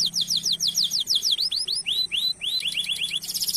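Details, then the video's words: Canary singing loudly as a lure for caged birds: rapid falling whistled sweeps slowing into separate arched notes, then a quick twittering run and a closing buzzy trill. "Suara Burung Kenari Gacor Nembak Suara Unik/Pancingan Ampuh Kenari cuit cuit Ngerol Panjang"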